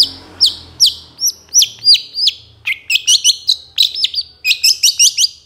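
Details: Moulting long-tailed shrike singing hard, a lure to make other shrikes sing: repeated high whistled notes that swoop upward, spaced evenly, then quicker clipped chirps in rapid bursts.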